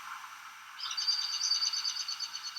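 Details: Common blackbird alarm call at first dawn twilight from a resident bird, not a nocturnal flyover: a quick run of thin, high, clipped notes, about eight a second, over a steady background hiss.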